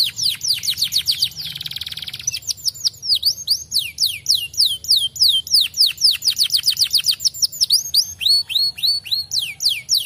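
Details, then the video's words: Fighter canary in full song, meant to set other canaries answering: quick runs of high, falling whistled notes, a short harsh buzzy rattle early on, then long fast trills of clear descending chips over a low background hum. "Sekali putar Kenari fighter Langsung Nyaut...."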